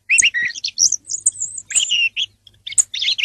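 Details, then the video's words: Song of a song thrush, a busy stream of thin whistles, quick chips and scratchy warbled phrases, with a brief gap near the end before more squeaky notes. "song of the thrush (canto del tordo bottaccio)"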